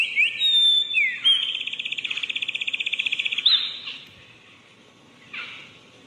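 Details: Wren giving a sharp high note followed by a long, rapid, even trill lasting about two seconds, then a short buzzy burst.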